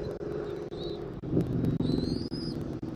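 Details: Bald eagle at a Southwest Florida eagle camera, 13 January 2024, early afternoon: one faint short whistle, then a longer, clearer high whistle rising slightly, over a steady low hum and rumble.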